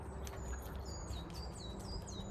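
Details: A great tit, heard in local woodland on a cloudy spring morning, gives its classic repeated two-note 'teacher, teacher' call in high, thin whistled notes, somewhat distant, moving around in the trees, over a steady low rumble of background noise.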